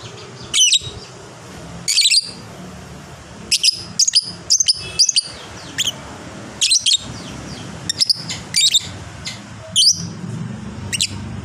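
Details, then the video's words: Fighter lovebird with long ngekek chatter: bright, shrill chirps and clipped squeaks tumbling in irregular clusters, some in rapid runs of three or four, over steady low background noise. "suara burung lovebird"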